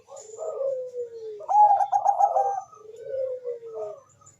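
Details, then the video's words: Bangkok zebra dove cooing: a falling, gliding low tone, then a quick rattling cluster of stuttered notes, followed by another long descending coo that fades out. "perkutut bangkok gacor suara merdu"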